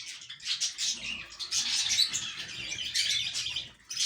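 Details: Budgies in a breeding setup keep up continuous high-pitched chattering and chirping, which swells in the middle and fades toward the end.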